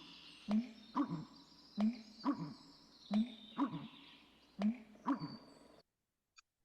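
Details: American bittern, the "slough pumper" of marshes in Prairie Canada, giving its deep, gulping pumping song of low, hollow booms in pairs and triplets about a second and a half apart; audible a kilometre away on calm mornings.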